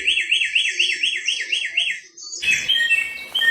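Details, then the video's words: Samyong, or Bare-throated Whistler, in the wild, a bird endemic to Flores and Sumbawa in Indonesia's Nusa Tenggara, locally called garugiwa: a rapid wavering whistled trill of about eight undulations, then a short pause and a harsh noisy burst with mixed high notes. "Kicau burung samyong di alam"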